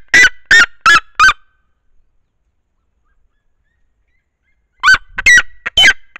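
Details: Red-legged Seriema singing on her nest above her single young chick; four loud, harsh yelps in quick succession, a long silence, then four more yelping notes.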